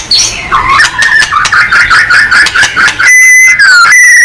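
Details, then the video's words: White-rumped shama in full song, a recording used to get other shamas singing: a run of clear whistled notes, each rising and falling, about twice a second, then loud, pure, slurred whistles near the end. "MURAI BATU GACOR|Hanya cukup 5 detik Langsung NYAUT!!"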